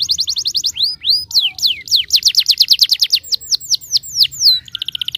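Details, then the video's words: Domestic canary in lively full song, played as a lure to prompt young canaries to start singing: fast runs of bright, downward-slurred whistled notes, repeated several times a second, ending in a quick high trill. "pancingan kenari gacor|EFEKTIVE untuk memancing kenari muda agar bunyi dan gacor"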